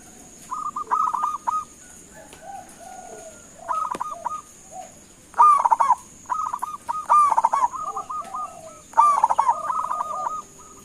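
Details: Lure call of a local zebra dove meant to make other birds answer: repeated phrases of short, evenly spaced clipped coos, several louder rolling bursts, and lower answering coos from another dove in the background.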